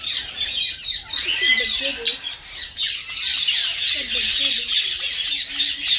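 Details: Tamed common myna kept as a pet, called talking, produces dense rasping chatter and screechy notes, with soft low wavering tones rising and falling beneath the harsh sounds.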